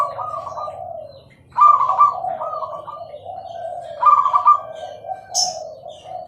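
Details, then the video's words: Clear-toned song of a zebra dove: a rolling, stuttering coo trill, then a longer sequence of pulsed coos with louder trilled bursts about every two and a half seconds. One sharp, high chirp comes near the end. "perkutut gacor suara jernih"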